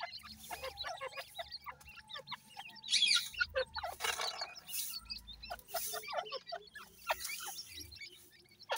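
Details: Feeding grey francolin chicks that seem wary of their food. Rapid strings of short, sharp, high chirps repeat many times per second, with a faint low hum underneath.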